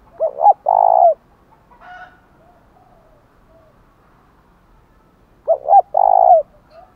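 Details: Thúc gù cooing of a spotted dove, meant to stimulate wild birds and decoy birds: two full phrases about five seconds apart, each with quick hollow double notes leading into a long burry coo that drops at the close.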